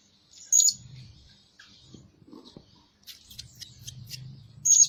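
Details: Shrill, piercing calls from a Blue-crowned hanging parrot used as a lure bird that calls day and night: one loud call opens, a flurry of thin chirps follows, and another strong call closes, with low background murmur.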